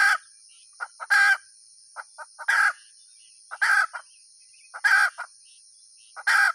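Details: Hen cackling steadily: scattered short clucks between loud, coarse squawks, six squawks in under seven seconds, with a continuous thin high hum.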